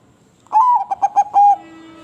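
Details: Crossbred zebra dove song phrase: a drawn-out opening coo that falls slightly, three or four short bubbling notes, then a final sustained coo. A faint tonal hum lingers afterwards.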